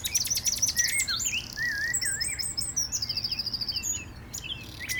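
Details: Common nightingale singing in view at Cliffe Pools RSPB reserve on 18 April 2022: a rich, varied song of rapid trills, whistles and sharp repeated notes, with a wren, blackbird, black-headed gulls and a chiffchaff also audible.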